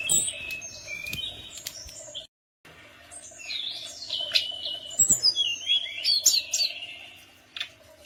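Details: Tledekan gunung lure song meant to provoke replies from other birds: chattering high whistles, a brief silent gap, then rising twittering phrases with swooping notes, over a low humming background.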